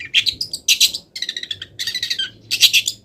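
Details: Moulting long-tailed shrike pours out a dense, noisy tangle of imitated wild-bird phrases: grating chatters and bright twittery notes in three thick bursts, continuous and loud, with a quiet low hum in the background.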